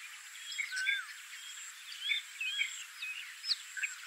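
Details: Bank swallow at a fishing pond in Malim Naway, Perak, Malaysia, on 10 January 2021. Faint, short, scratchy chirps and twitters in a high register, scattered irregularly through the clip, with a steady high background hiss.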